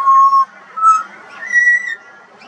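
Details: Juvenile pied butcherbird singing in Australia: pure sustained whistles, a long steady note followed by a shorter higher one and a slightly rising whistle, with pauses between.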